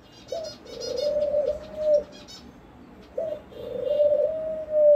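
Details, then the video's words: Dove cooing twice, each a brief upslurred note followed by a long level mellow hoot, against continuous background noise with scattered chirping of small birds. "amazing dove sound"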